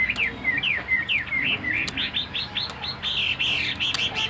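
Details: Chinese hwamei in captivity delivering a rich whistled song: repeated swooping slurred notes, first descending, then a series of rising upswept whistles, steadily repeated at a fast pace.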